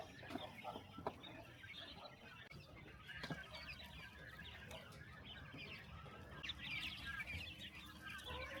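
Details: Chickens at morning feeding on a small countryside farm; a flock's busy overlapping clucks and chatter run throughout, with occasional sharp knocks and clicks in the background.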